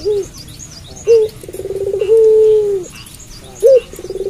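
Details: A puter pelung, or Barbary dove, calling at night: short hooked notes, then a pulsing roll that settles into a smooth, level coo lasting about a second and falling away, then another hooked note and roll.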